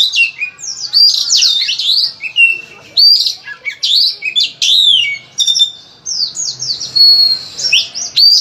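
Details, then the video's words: Oriental magpie-robin, a lively full-varied song meant to prompt other birds to sing: rapid loud whistled phrases, slurred rising and falling notes mixed with buzzy chatters, bursts every half second with brief pauses. "Masteran Suara Kacer Gacor Volume Ngotot Full Isian, cocok untuk pancingan Kacer Rajin Bunyi"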